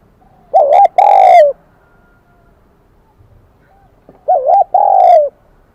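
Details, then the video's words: Spotted dove, a wild-caught bird, in the high kim đồng or 'bell' voice style of Vietnamese keepers. Two resonant coo phrases spaced about four seconds apart, each a wobbling short note followed by a longer, gently descending tone. "Tiếng chim cu gáy giọng KIM ĐỒNG bổi nghe rất nhạy"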